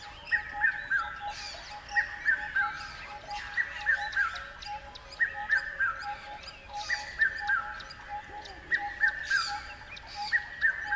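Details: Birds chirping with regular triplets of sharp downslurred notes repeating about every one and a half seconds, accompanied by higher thin ticks and a steady low hum.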